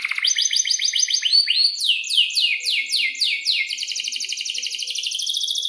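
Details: Young-canary tutor song, long and vigorous: a rapid row of chips, then broad sweeping whistled notes falling in pitch, closing in a fast even trill.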